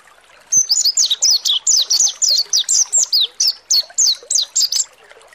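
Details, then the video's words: Mountain white-eye pouring out a fast ngalas song meant to provoke rival birds into singing: nearly five seconds of rapid, evenly spaced, high downslurred chirps, about four per second. "PANCINGAN PLECI MONTY NGALAS BUKA PARUH || PANCINGAN PLECI MONTY AGAR EMOSI || PLECI MONTY NGALAS"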